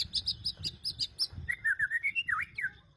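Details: Shama song played as a lure to prompt other shamas to sing, with sharp high chips repeated about every tenth of a second, then a fluid series of varied whistled notes over low background hum.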